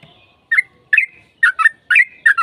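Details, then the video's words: Bubbly, slurred phrases from a sooty-headed bulbul, used as a lure to get a bird to sing back: six short notes, some paired, each bending in pitch, in a brief uneven burst. "PANCINGAN TRUCUKAN AGAR CEPAT BUNYI Trucukan gacor TARUNG ropel panjang JADIKAN BURUNG TRUCUK NYAUT"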